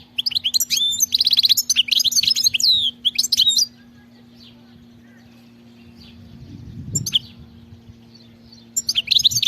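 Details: European goldfinch singing wild: chattering twitters and sharp rising whistles for several seconds, then a quiet stretch with a low rustle, before the song resumes at the end.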